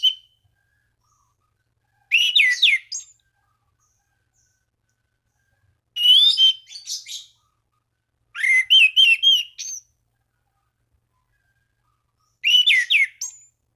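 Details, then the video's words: Orange-banded thrush singing to call out rivals and spur other thrushes to sing; four separate phrases of rapid stuttering whistles and buzzy notes, each about a second long, spaced by several seconds of silence. "Anis Cendana Gacor MEMANGGIL LAWAN Pancingan burung anis lain agar berkicau"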